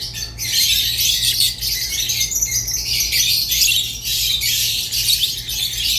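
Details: Continuous sharp, squeaky chattering from rosy-faced and Fischer's lovebirds, with slightly whistled notes woven through and only tiny dips, over a low background hum.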